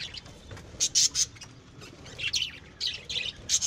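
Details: Home-bred lovebirds utter short, piercing squeaks and rasping chirps in quick groups, separated by brief pauses, over a faint background murmur.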